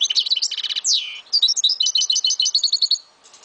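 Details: Kept Algerian European goldfinch from Souk Ahras, Algeria, singing: rapid high twittering notes, a dry buzzy rattle, a sliding downward whistle, then a fast run of liquid repeated chirps lasting about three seconds.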